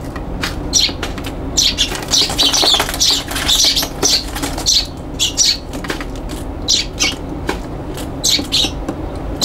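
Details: Young Eurasian tree sparrows squabbling on a balcony in June 2022: short, sharp chirps repeated in quick clusters, interspersed with fluttering wingbeats, over a faint low hum.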